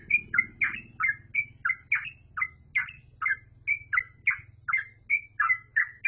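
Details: Yellow-vented bulbul repeating lively, gurgling chirps in 'gacor full ropel' song, each note a quick slurred twist, set against a continuous low droning hum.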